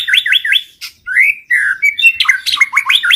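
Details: White-rumped shama song used as a lure for catching birds: rapid varied whistled phrases, quick rising and falling notes repeated in short bursts, with a clear slurred whistle in the middle and a dense run of notes at the end.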